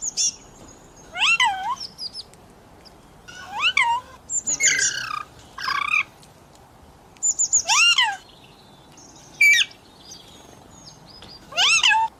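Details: Pet parrot that talks, calling mummy and asking for roti: repeated harsh, wavering word-like squawks every second or two, interspersed with short high chirps.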